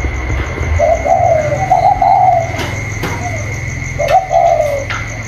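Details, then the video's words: Còi-style spotted dove in a contest between an inside bird and a wild one outside, 27 October 2022: a long quavering coo phrase, then a shorter one later, over a steady high whine and faint clicks. "chim cu còi trong đấu với thổ ngoài"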